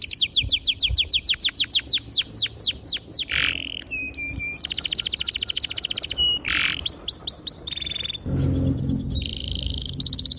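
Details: Canary in emotional, long rolling song, played to coax young birds into answering: fast series of falling whistled notes, then buzzy bursts, sharp squeaky notes and brief high trills in quick succession.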